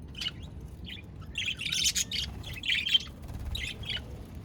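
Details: Budgies heard on 22 January 2024 giving scattered short chirps and a brief burst of scratchy chatter near the middle, with quiet gaps between calls and a low background hum.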